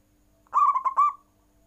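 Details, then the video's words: Captive zebra dove (perkutut) nggayer cooing that sets rivals calling: one short phrase of three quick, rolling, purring coos lasting under a second. "Perkutut nggayer full membuat lawan ikut bunyi"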